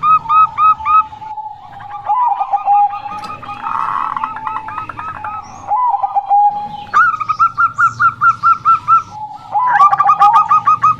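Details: Zebra dove of the Bangkok type, described as a local female in lively song: several bursts of rapid rolling coos, with overlapping series at slightly different pitches suggesting more than one dove, and soft clicks between phrases.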